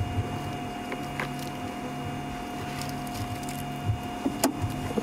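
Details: Steady engine hum with a few clicks and knocks, like a vehicle idling with creaking fittings; no animal calls stand out.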